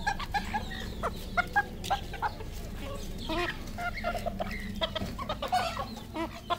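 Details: Red junglefowl, a local decoy bird, giving a busy run of short clucking calls with rising and falling notes, many in quick succession, over a steady low hum.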